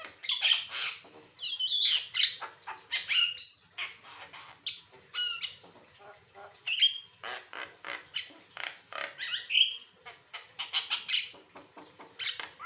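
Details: Asian pied starling delivering a long varied song for tutoring other songbirds: harsh squawks, rattling chatter and sweeping whistled slurs tumble together continuously, with a low background hum.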